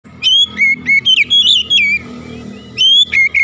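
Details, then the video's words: Oriental magpie-robin singing in the morning: loud, clear whistled notes in quick bursts, each slurred up or down, then a pause of almost a second before two more sharp whistled phrases. "OCEHAN KACER DI PAGI HARI"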